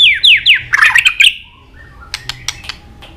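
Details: White-rumped shama fighting song: a few loud descending whistled slurs and a harsh squawky burst, followed by quieter sharp clicks.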